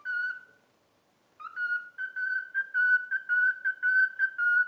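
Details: Cockatiel kept as a pet and taught "If You're Happy and You Know It" whistles one held note, then a rapid string of about ten pulsed whistles at a steady pitch.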